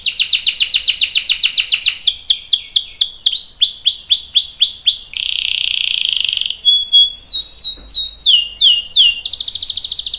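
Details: Canary in full song, recorded as a lure so other canaries join in: fast trills and long runs of ringing swooping whistles, broken by a buzzy note and a few sharp chips.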